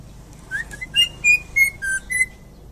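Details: Greater green leafbird from Indonesia, described as a champion singer, giving a short run of clear whistled notes, some gliding and some steady, spaced about a third of a second apart over a faint background hiss.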